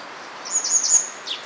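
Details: Grey wagtail recorded at Agano, Japan, on 16 May 2018: a thin, very high, wavering whistled trill lasting under a second, then a brief sharp descending note, over soft steady background noise.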